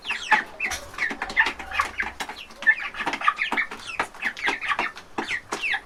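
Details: Many baby chickens clucking while eating from a trough in a large farm chicken house; short, rapid clucks and chirps overlap in a continuous flock chatter.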